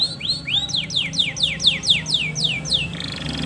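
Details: Male canary singing to stimulate a female for mating: rising whistles lead into a run of about ten loud, evenly spaced downward-sweeping notes, with a steady low hum beneath.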